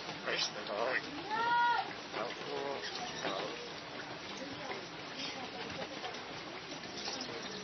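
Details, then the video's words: A talking crested myna speaking phrases like "Praise the Lord" and "Salam" in a raspy, human-like voice, with a clear rising whistle-like note, against a noisy, cluttered background. "Talking crested myna(martiniz) can talk a lot"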